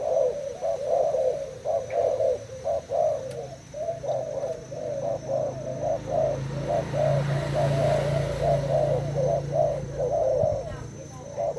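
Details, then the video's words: Thai spotted dove in a cage, competing in a cooing contest with a decoy bird: quick repeated low coo notes throughout, with a droning low engine-like hum in the background mid-recording. "Cu gáy thailand đấu gù mồi trần 2 ngày lồng"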